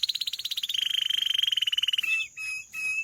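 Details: A canary's song in which a rapid pulsing trill drops to a slightly lower pitch, then gives way to two sustained clear whistled notes.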